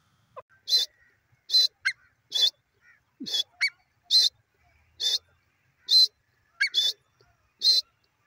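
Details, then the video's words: Grey francolin call of sharp, high, scratchy notes spaced about a second apart, interspersed with a few short lower squeaks and chirps. "grey francolin call,teetar ki awaz dakhni teetar ki awaz"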